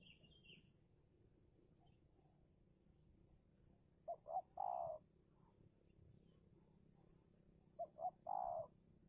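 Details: Spotted dove decoy calling against a wild dove during Indonesian dove luring: two soft phrases of two short coos followed by one longer, rolling note, about four seconds apart, over a steady low background hum.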